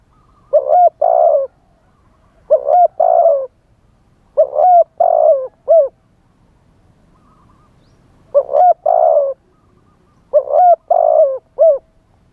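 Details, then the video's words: A spotted dove sings live in wild style as a lure for wild birds. It repeats a four-note cooing phrase about every two seconds, with a short pause before the last two phrases. The coos are low, mellow and slightly falling. "เสียงต่อนกเขาใหญ่ คารมป่า 100 % ต่อสด"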